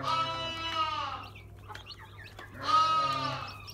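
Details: Brahma ornamental chickens kept in Istanbul, Turkey: two long harmonic calls about a second each, steady then falling slightly, separated by a pause of over a second, with soft background rustle.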